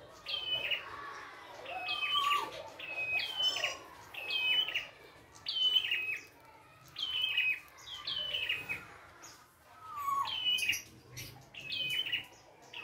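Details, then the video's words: Wild red-headed prinia in full song, repeating short phrases of two or three high whistled notes dropping in pitch, roughly every second and a half, in steady bursts with quiet gaps. "PRENJAK KEPALA MERAH GOCOR FULL ISIAN"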